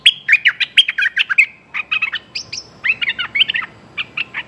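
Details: Streak-eared bulbul calling to attract a mate: rapid strings of sharp chirps and short warbled notes, delivered in three bursts separated by brief pauses, some notes higher and thinner, against a quiet background.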